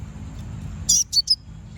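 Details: Common iora (konin) song used to lure and provoke rival birds: three quick, high, sharp chirps in close succession, the first a longer buzzy note, against a quiet low rumble.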